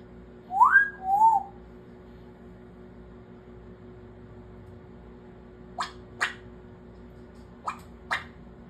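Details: Pet African grey parrot indoors: a short two-part whistle, rising then wavering, followed by several sharp popping clicks over a faint room hum.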